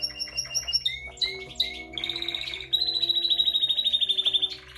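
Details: A classic Spanish Timbrado canary sings bright, high chirps and slurred notes, then a long, fast, rolling metallic trill over a faint steady background hum.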